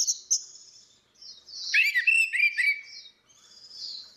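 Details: Ngeplong song of female and male orange-headed thrush, meant to lure silent birds into singing; two short high notes, a pause, then a loud run of warbled, slurred whistles fading to a thin high note.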